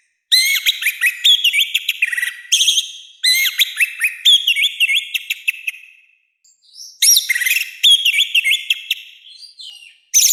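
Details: Orange-headed thrush delivering loud, harsh song meant for tutoring and provoking other birds: dense runs of sharp chirps and repeated down-slurred whistles in several bursts over ten seconds, with short pauses between them.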